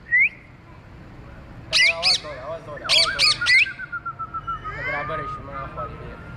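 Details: A pet Indian ringneck (rose-ringed parakeet), described as a talking parrot, gives loud, harsh squawks in a quick burst of four or five, then a run of softer rapid chattering notes while climbing.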